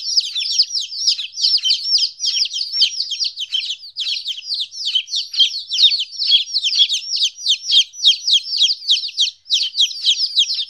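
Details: Baby chickens, 14 days old and separated from their mother for the first time, give a dense chorus of high, downslurred peeps, many overlapping calls repeating rapidly without pause.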